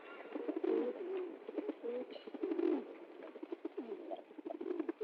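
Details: Pigeons cooing together, low throaty coos with bending pitch overlapping one another, alongside frequent clicks, taps and shuffling noises.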